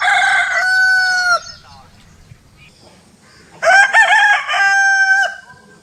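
A rooster gives two loud, harmonic-rich crows about three seconds apart, each held then falling away; a short quiet gap between them.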